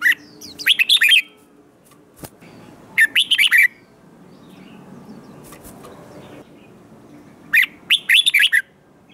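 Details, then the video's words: Red-whiskered bulbul singing competitively, three short bright warbled phrases of quick whistled notes separated by pauses of a few seconds, with faint background hiss. "Kích Chào Mào Hót Ché/ Kích Chào Mào Bổi Hót Đấu Mới Nhất"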